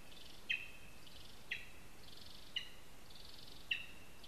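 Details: Lesser spotted eagle at its nest in a spruce in Zemgale, Latvia, on a live nest camera; sharp high yelping notes about once a second, each trailed by a thin ringing tone and a buzzy band above, over steady background hiss.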